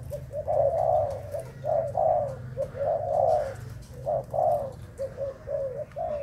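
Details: Spotted dove from Thai stock, recorded 11 August 2018, giving uneven bursts of low coos, some long and full, others short and clipped, with gaps between phrases.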